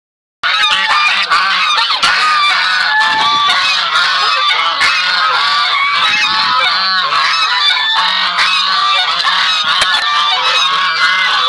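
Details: Buff Sebastopol geese with their goslings, a noisy group: dense, continuous overlapping nasal honks and calls with high thin peeps layered throughout, no pauses across the whole stretch.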